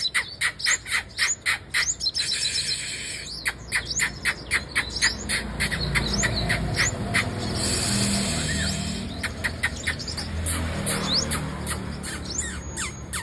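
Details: Female sunbird singing: quick high, thin chips and ticks in rapid bursts, several per second, fading behind a steady background hiss midway before resuming.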